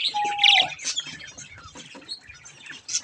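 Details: Baby budgies playing at a mirror: a brief steady whistle joins a bright burst of chirps, then quieter scratchy twittering with a sharp note at the close.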